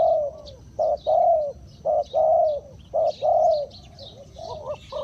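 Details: Spotted dove acting as a decoy to attract wild birds gives strong, rounded coos in pairs, a short note then a sustained one. Brief chirps of other small birds are heard, growing busier near the end.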